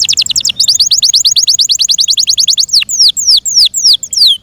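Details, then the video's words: Brisk song of a kept Yorkshire canary: a steady rapid series of short high notes for over two seconds, then slower, loud descending whistled slurs. "THE BEAUTIFUL SOUND OF FI YORKSHIRE CANARIES"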